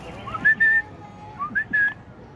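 Asian pied starling giving two clear whistled phrases, each a short rising slur into a level held note, over a low background hum.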